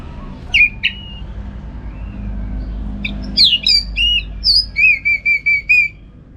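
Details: Orange-headed thrush used as a training bird for song contests, singing loud, clear whistled notes: two opening whistles, then a rapid run of short repeated slurred notes, about twice per second, over faint low hum.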